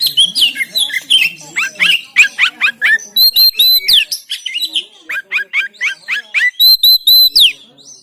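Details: Oriental magpie-robin recorded in Banten, Indonesia, on an Android phone to provoke song in quiet birds: repeated bursts of quick upslurred whistles interleaved with high metallic chips in regular rows, loud and persistent.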